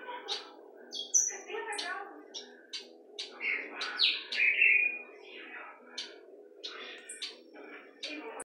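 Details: Black-throated grosbeak fledgling loose inside a house: sharp, short chirps and a few rising, squeaky notes scattered irregularly, with people talking nearby in a small room.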